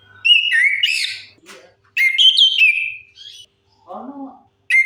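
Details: Orange-headed thrush song played as a lure for birds that have stopped singing: sweet sliding whistled phrases, a short rasp, then a lower, softer warble before another phrase begins.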